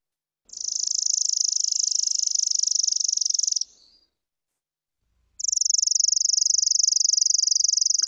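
Two Chipping Sparrow songs, each a dry, rapid, even trill of about three seconds on one high pitch, nearly identical from neighboring males singing a shared local song type.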